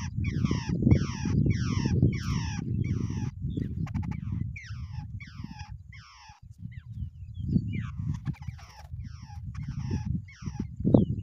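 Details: Wild babblers, two together in the nest, give a rhythmic string of harsh, falling, nasal notes roughly twice a second, pausing midway before resuming, over low rumbling noise.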